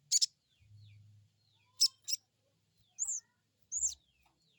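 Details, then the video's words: Crested jay crecet calls used as a lure to make a new bird call back: harsh, scratchy bursts alternating with thin, high, arched whistles, irregularly spaced, with brief low hum. "Crecet crecet,,pancingan burung sogon bahan"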